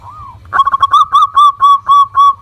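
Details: Local zebra dove in lively song, used as a lure to set other doves singing: one soft arched coo, then a quick stutter of short notes opening into nine loud, even, rounded coos at a steady pace.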